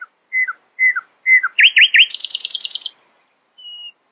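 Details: Early-morning nightingale phrase: three falling whistled slurs, a trio of sharp swooping notes, then a dry, rapid, high rattle, and after a pause a single thin sustained whistle.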